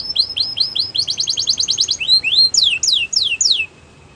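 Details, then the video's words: A canary sings a run of repeated downslurred notes, then a quick buzzy trill, then louder sweeping whistles that rise and fall before the phrase stops. "The Best Canary Singing"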